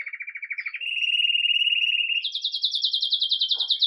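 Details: Belgian canary, red agate mosaic, singing Campainha song live at the day's start: pulsed buzzy notes give way to a smooth steady roll, then a fast, bright higher trill repeated to the end.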